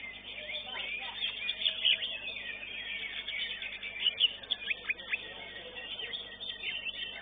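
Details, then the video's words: Greater green leafbird competing in a songbird contest, winning first place in its class, pours out a dense, rapid stream of high chattering and whistled notes, with other birds singing over it in the background. "CUCAK IJO"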